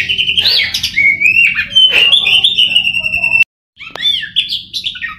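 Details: Contest-trained Oriental magpie-robin sings loudly: buzzy slurred notes run into a long steady whistle, then a brief silent break before a run of sharp downslurred chirps and warbled phrases.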